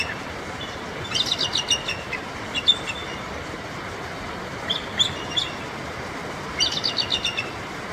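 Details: Adult Bald Eagles held in a natural habitat enclosure in Alaska utter three short bursts of high, piping chatter. The bursts are separated by pauses, over constant rushing river noise.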